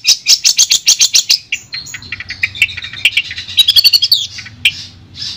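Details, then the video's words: Long-tailed shrike song used as therapy for a shrike gone silent: opening burst of quick harsh chips, then a jumbled twittering medley of varied notes ending in rattling trills, low hum behind. "Terapi Suara Untuk Cendet Macet"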